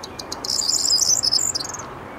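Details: Corn bunting recorded at 19:00 on 23 May 2022 in the Rheindürkheimer Spieß nature reserve near Worms, Germany: a brief high, jangling phrase of a few ticks that speeds into a glittering rattle, over soft steady background hiss.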